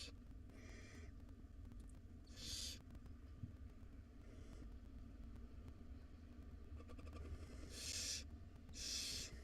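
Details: Wild barn owl nestlings, five of them, hiss at feeding time inside a nest box. Several rasping, snore-like bursts are spaced unevenly, some soft and some loud, over a steady low hum.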